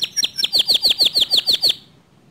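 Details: Canary song said to provoke other canaries to sing. A few varied chirps lead into a regular series of loud down-slurred whistles, roughly six per second, ending cleanly into silence.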